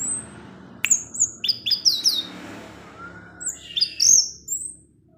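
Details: Evening song of an orange-headed thrush meant to provoke rival thrushes; sharp high whistled notes and quick slurred phrases in two bursts separated by a quiet gap.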